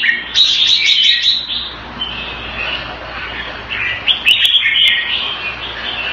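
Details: Red-whiskered bulbul in a cage in Singapore, kept in the Thai manner, opening with a quick rippling trill, then looser whistled and chattering phrases over a faint background hum.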